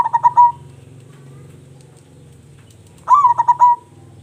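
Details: Local zebra dove, an actively singing bird with a big voice, suited as a lure for other doves: two short cooing phrases of quick stuttered notes ending in a longer mellow trill, about three seconds apart, over a steady low hum.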